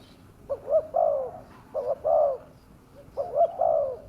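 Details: Spotted dove calls intended to attract wild doves: three similar phrases, each a short stuttering double coo leading into a longer, mellow, falling note, repeated at about one-second gaps.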